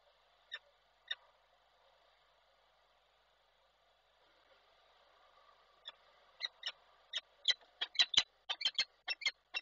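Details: Female peregrine falcon, slightly soaked, calling the male at a nest in Koszalin on 7 August 2023: two sharp, clipped calls, a pause, then a quickening run of harsh repeated notes, several per second.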